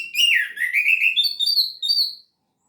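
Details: Orange-headed thrush in gacor teler song: a continuous warbling whistled phrase that climbs steadily in pitch, bright and fluid, ending abruptly after about two seconds.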